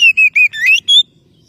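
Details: Oriental magpie-robin calling to a rival, a quick run of five loud whistled notes, the first three steady and level, then a rising slurred note and a final higher clear whistle.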